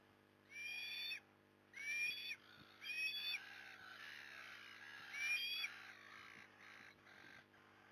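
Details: During an afternoon fish delivery at a Port Lincoln, Australia nest on 15 September 2020, an osprey repeats harsh-edged whistled calls, five rising-falling notes over six seconds, growing softer at the end.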